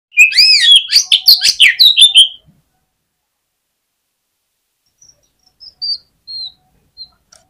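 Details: Oriental magpie-robin in full fighting song, meant to stir rival magpie-robins into persistent response: a dense burst of loud, varied whistles, buzzy notes and sharp clicks for about two seconds, followed by a few faint, thin whistles.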